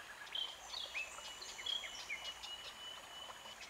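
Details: Red-backed Shrike (Lanius collurio) giving short thin chirps and brief whistled notes in a quick, irregular series over a steady high insect hiss.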